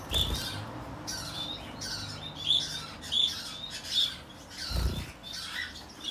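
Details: Plum-headed finch pair in Fukuoka, Japan, July 2023: thin, high chirps repeated roughly every second, with a soft low thump partway through.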